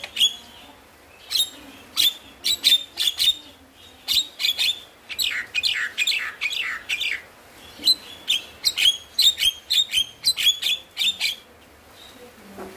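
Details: Javan myna, stressed or lazy bird, stimulation song: bursts of harsh broadband chatter and squeaky whistled notes in groups, with a rising buzzy run midway and steady rhythmic phrases to the end.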